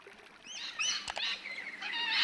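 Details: Rainbow lorikeet in Australia, captured in ambisonic surround sound: a mix of short whistled upward and downward sweeps and harsh rasping notes over a steady background hiss, with a loud click near the middle.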